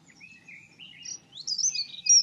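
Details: Dunnock song fragment: thin wavering high notes at first, rising into a brighter, quicker burst of squeaky, tinkling notes at the end.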